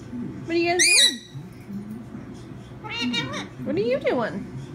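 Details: A pair of pet parakeets, affectionate with each other and said to talk, indoors: several loud harmonic squawks and swooping, warbled notes in bursts, one near the start and two later, over a low murmur of room noise.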